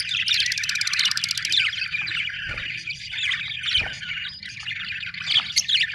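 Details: Budgerigars chattering, a dense stream of warbled, scratchy chirps and short squawks, continuous over six seconds with a brief buzzy trill near the start and a few louder sharp notes near the end.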